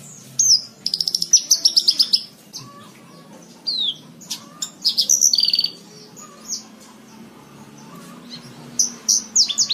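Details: Song of a Horsfield's bushlark, played to tutor caged birds: fast stuttering trill series, then high downslurred whistles and buzzy rattles, with long quiet gaps between bursts over a low background hum.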